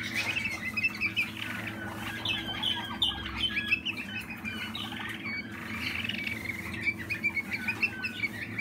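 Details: Malinois Waterslager canary, a 2020 youngster, giving a long run of chattering, rolling trills with brief pauses and rising whistled accents, set against a constant low mechanical hum.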